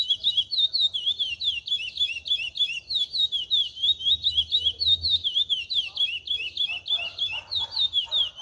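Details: Chestnut-bellied seed finch song in the cascatinha style, a long unbroken run of quick warbling whistles with looping, slurred notes; soft low-frequency noise underneath.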